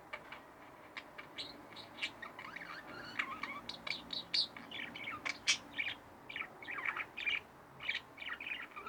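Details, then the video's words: Two pet budgerigars kept indoors give a lively stream of sharp chirps, squeaky trills and short whistled notes, rising and falling in quick irregular bursts. "Budgie Birds Extravaganza-Relax With My Budgies"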